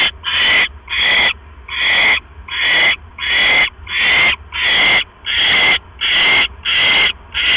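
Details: Owl filmed at its nest on the evening of 18 October 2015. The male brings a rat, and the female gulps it down whole before settling to sleep. About eleven loud, rasping screeches repeat regularly.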